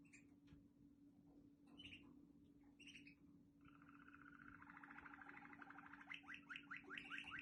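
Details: Waterslager canary from Quetta singing: a few scattered short notes, then a long rapid rolling trill that builds in loudness and ends in quick repeated falling notes, over a steady low hum.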